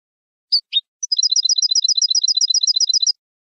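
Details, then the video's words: Goldfinch song used to tutor goldfinches and hybrids: two or three separate chirps, then a fast, even run of paired clear high notes, about five pairs a second for two seconds. "احسن تغريد لتلقين الحسون والهجين"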